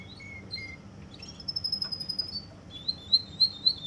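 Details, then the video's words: Russian canary in Kuwait singing: short separate whistled notes, then a long steady high whistle, and finally a quick pulsed trill of about four notes a second, heard against a quiet background. "Russian canary from Kuwait"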